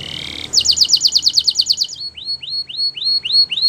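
A Belgian canary sings a fast, bright trill of about a dozen rapid notes, then a series of sweet, rising whistled phrases.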